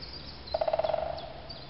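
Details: Woodpecker calling in the morning mist: a quick rattling trill of about a dozen short, evenly spaced tonal notes packed into roughly half a second, fading at the end, over a quiet background.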